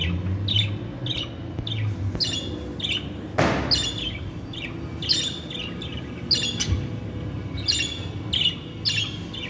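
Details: Pet budgerigars chirping, used to encourage budgies to sing and talk; short, high, repeated chirps in an irregular series, with a brief thud or knock near the middle and a low background hum.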